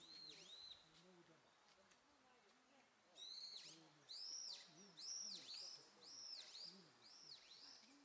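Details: Japanese pygmy woodpecker chicks producing a run of high, wheezy, arching notes that grow louder and more insistent after a brief lull, repeated about once a second, with faint low background noise.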